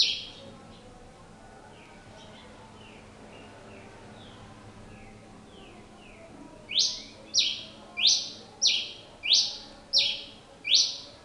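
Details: Pileated finch song: faint, thin, buzzy notes at first, then about six seconds in a loud run of seven harsh, buzzy, down-swept notes evenly spaced about two-thirds of a second apart.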